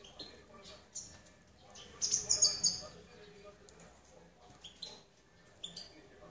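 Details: Goldfinch song made of scattered, sharp high chirps, with a quick run of glittering, very high twitters in the middle and a low murmur of background noise.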